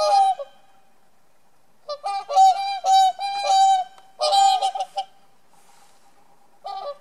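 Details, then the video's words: Whooper swans defending their territory at Niilesjärvi, Oulu, Finland, on 24 April 2017. Several birds give loud, bugling, trumpet-like honks in irregular bursts, calling over one another with short pauses between. "Cygnes chanteurs / Whooper swans / Laulujoutsenet"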